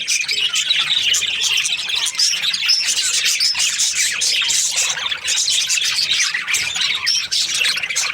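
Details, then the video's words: Happy Australian budgerigars during the breeding season, a flock chirping together: dense, continuous high twittering and warbling with many overlapping short chirps and squeaks, no pauses across the recording. "Happy budgies chirping sounds |Australian budgies breeding season"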